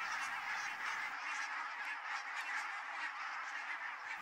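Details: Barnacle geese on spring migration around mid-May: a dense, continuous chorus of many overlapping nasal honks and yelps from a large flock, blending into a steady murmur.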